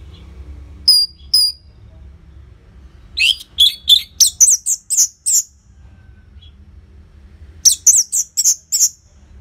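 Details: Loud Orange-headed thrush singing with tight pauses, played to prompt caged birds to sing. Two sharp whistled notes open, then bursts of rapid, high, chattering notes come in quick phrases separated by short silences.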